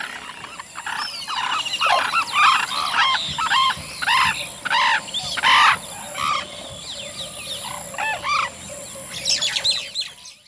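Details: Distant Sarus cranes give loud, trumpeting courtship display calls in quick irregular succession, with other distant birds calling and a steady high insect whine behind.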